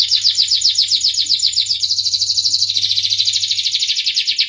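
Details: Starblue canary singing a continuous rapid song of repeated high trills, about 2.5 notes per second shifting into a faster buzzy rolling phrase partway through; faint low steady hum underneath.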